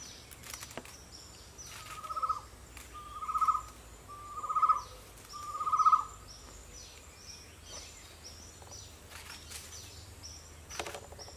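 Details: Chestnut-necklaced partridge in Borneo: four mellow hooting notes, each swelling louder, spaced about every 1.2 seconds, over a background of insects and forest noise.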